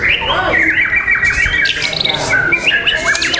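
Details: Competition song of a white-rumped shama at The Legend Murai Batu Nusantara contest, 12 December 2021: sustained fluting whistles, then quick slurred and rising notes. Further birds sing in the background.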